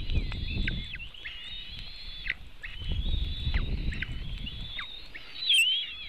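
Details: White-tailed eagle eaglets fed at their nest in Latvia on 24 June 2018, 3:23 pm, seen by webcam: long high whistled tones with sudden downward slurs, repeated several times, with bursts of low rustling and handling noise between.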